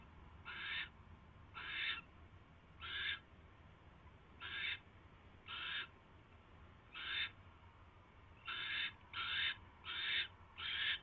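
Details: Barn owl screeching at the nest around 10:22 PM on 22 January 2016 during a mouse delivery: spaced, hoarse, hissing bursts that bunch into a quicker run of four near the end, over a constant low hum.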